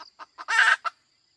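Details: Female chicken: a few quick low clucks leading into one loud, harsh, drawn-out squawk, then a final cluck.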